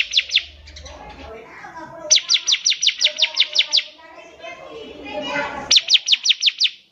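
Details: Bar-winged prinia in lively song, used to tutor young birds. Three quick high notes open it, then a long run of about eleven sharp descending notes and a closing run of six. Soft murmuring sounds fill the gaps.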